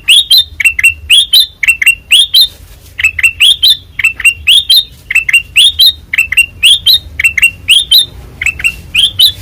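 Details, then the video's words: White-eyed kutilang emas (black-crested bulbul) singing constantly in the loud, ringing ngeplong style: sharp bright chirps in quick pairs and triplets, roughly one burst per second, with a short pause midway. "Suara Asli Ngeplong Kutilang Emas Mata Putih Gacor Dor"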